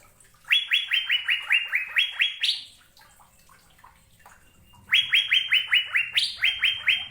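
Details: Asian fairy-bluebird from Indonesia delivering two series of crisp rising whistles, each about two seconds of rapid notes ending on a higher one, with a quiet gap of about two seconds between.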